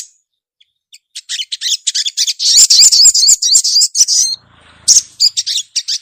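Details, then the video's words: Female ruby-cheeked sunbird calling the male: scattered high ticks build into a rapid, twittering chatter of buzzy notes, then a brief lull and more quick chips. "SUARA SOGOK ONTONG BETINA GACOR MEMANGGIL JANTAN"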